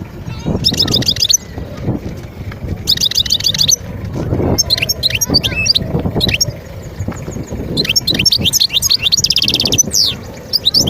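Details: Wild European goldfinch from Skikda, Algeria, recorded in 2022, singing bursts of rapid high twittering and buzzy trills in phrases, with quieter gaps and low background rumble between them.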